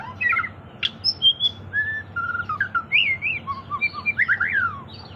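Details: White-rumped shama in lively 'gacor' song, used to coax other birds into singing: separate clear whistles, level and upslurred, then a quicker burst of rising and falling whistled phrases near the end, with faint low hum behind.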